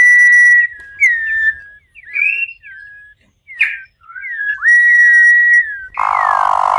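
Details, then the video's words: A campo troupial sings loudly, apparently in captivity. The song mixes sliding whistled notes, short warbled phrases and a long level whistle, and ends in a broad harsh buzzy note with fading downslurs. "CORRUPIÃO CANTANDO MUITO"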